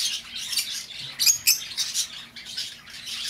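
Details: Lovebirds chatter in a shrill, high-pitched stream, with harsh squawks every half second or so over constant twittering; the recording is meant for luring back an escaped bird.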